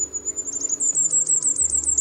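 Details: Common Firecrest, which sings later once the day is fully light, gives a very high, thin drawn-out note, then a quickening run of tiny sibilant notes climbing slightly, with a faint low hum behind.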